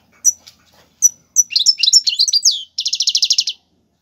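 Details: Goldfinch singing tiwawati galoubi and serfati phrases meant for training fledglings: a few sharp chips, then a rush of varied tinkling notes ending in a rapid, even, buzzy trill.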